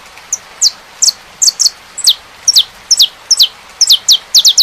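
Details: Saffron finch song as a run of bright, falling chips, some single and some doubled. The pace is uneven and the run ends in a fast triplet of high, downslurred notes, with a soft background hiss.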